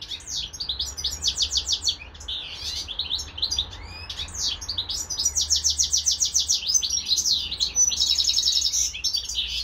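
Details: Pet European goldfinch kept together with a hybrid songbird; fast twittering song of buzzy trills and rapid repeated notes, with rattling runs in the second half and no other sounds.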